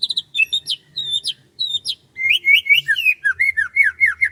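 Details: Varied chirping birdsong in rice fields at morning: high clipped chirps and short phrases, followed by a lower run of rapid, downslurred whistled notes, loud and close.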